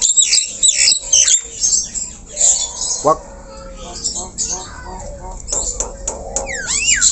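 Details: Javan myna (jalak kebo, white-eyed), singing very actively even while low down: a busy run of harsh squawks, rapid chattering bursts and bright upward and downward whistled sweeps, with short pauses between phrases.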